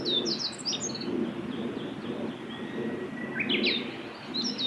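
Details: Singing male meadow bunting, Miyagase Lake forest road, 6 May 2016: a fast high phrase of bright, descending chirps at the start and another about three seconds later, set against a low rushing background.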